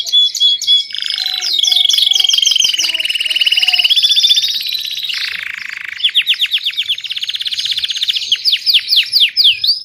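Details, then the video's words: Belgian canary copying a tutor's song: loud, high, varied trills in changing tours, rapid rolled runs, sweeping slurred notes and a lower buzzy stretch, with several faint lower whistles in the background. "Canário belga cobre professor cantando/Belgian canary covers teacher singing."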